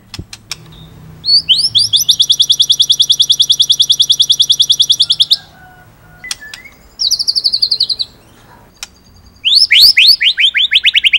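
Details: Shama song in the masteran ngerol style: after a few sharp clicks comes a long, very high, rapid buzzing trill lasting about four seconds. Short pauses follow, then brief chips and a final burst of high descending notes.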